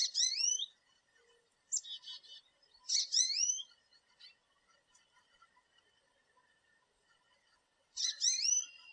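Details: American goldfinch at a backyard thistle and sunflower feeder, where the birds come in groups; high upslurred calls with sweeping overtones sound in bursts, plus a brief buzzy note, then a long quiet gap before another call.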